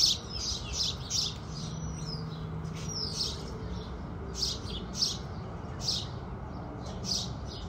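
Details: House sparrows singing at sunrise: short, bright chirps repeated irregularly, roughly every half second at first and then more spaced, over a steady low background hum.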